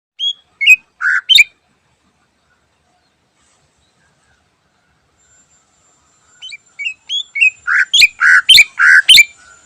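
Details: Cucak ijo in the morning, singing vigorously in full 'isian' style: short rising whistled notes lead into loud, rich, slurred phrases. A burst opens the recording, then a long silence, then a faster run of about a dozen notes.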